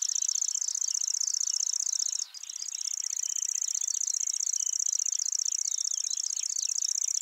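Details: A Lanceolated warbler singing at Wakka Primeval Flower Garden, Hokkaido, Japan, reels out a long, very high, dry, cricket-like trill, almost unbroken except for one brief pause; faint chirps from other birds sit underneath.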